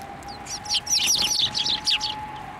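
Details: Sparrows coming to the hand for food at a Tenmangu shrine on 9 December 2023, giving a dense cluster of loud, high twittering chirps over about two seconds, with a steady faint tone underneath.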